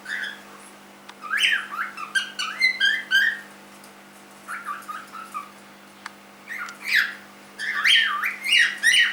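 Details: Three-month-old pet cockatiel calling indoors: bursts of harsh, rasping chirps with rising and falling pitch, roughly fifteen notes in a few clusters, with short pauses between groups over a steady low electrical hum.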